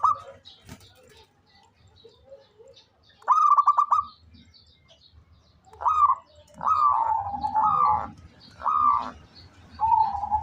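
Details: Local zebra dove, described as singing eagerly, delivers a rapid pulsed coo phrase, then a series of longer warbling coos with wavering, slightly falling tones, with a low background hum throughout.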